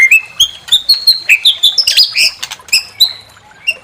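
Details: White-rumped shama singing to stir another bird to sing, a rapid mix of high whistles, chattering notes and harsh squeaky phrases, tapering off toward the end.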